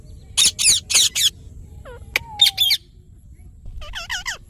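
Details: Parrot chirping: a rapid series of four harsh, buzzy squawks, then a long level whistle, two more screeches, and a closing cluster of wavering, slurred chirps.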